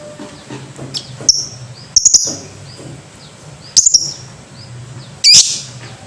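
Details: Lovebird making scattered high, sharp chips in small clusters of two or three, ending with a louder, rasping screech.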